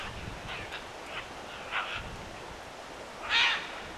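Scarlet macaws give a few faint, harsh rasping squawks, then one loud grating screech near the end, over a soft steady background hiss.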